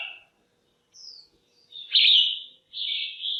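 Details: Calls of a female red-whiskered bulbul, used to excite males or pair birds: a thin high note, then a loud grating buzz and a longer steady rasp, with near silence between.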